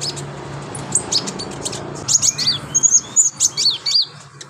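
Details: A lively Brown-throated Sunbird (konin) sings a master song full of imitations for tutoring other birds: high, squeaky chips and quick slurred whistles grow more frequent in the second half, with a low hum beneath.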